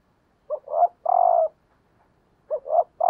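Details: Female spotted dove used as a decoy bird, calling to stimulate males: two three-part cooing phrases about two seconds apart, each a short low note, a swelling middle coo and a long steady final coo, in otherwise quiet surroundings.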